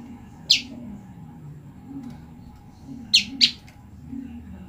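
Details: Olive-backed tailorbird female calling for her separated mate: a single sharp high chip, then a quick pair of chips about three seconds later, with a low murmuring background.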